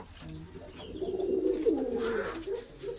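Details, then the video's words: Several pigeons cooing in a pigeon house, a deep murmuring coo swelling and fading, while piercing high whistle notes come and go in the background. "Pigeon sound effect pigeon house || Pigeon sound"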